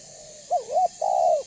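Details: Spotted dove, banggo voice, cooing to lure other doves to call and approach: a soft lead-in, a wavering double note, then one long, level, slightly falling coo.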